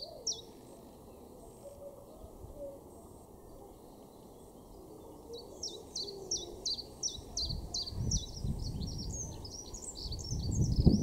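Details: Common chiffchaff in a garden in Weener, East Frisia, northwest Germany, May: after a quiet start with a faint distant bird, a long steady series of sharp two-pitched chiff-chaff notes, over low rumbling noise.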